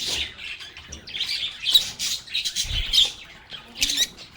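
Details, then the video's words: Lovebirds (agapornis) singing, playing and talking: harsh squawks and rasping chirps overlap in pulses, with a low knock near the middle and loud screechy bursts toward the end. "Lovebirds agapornis sounds | Relaxing Sounds of Singing, Playing, and Talking Parakeets"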